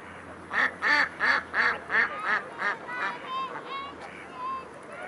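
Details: Mute swans at Blaues Wunder, 13 February 2016 at 17:05: a run of about eight loud, nasal, harmonic honks repeated roughly three per second, then softer, thinner trailing notes, over low steady background rumble.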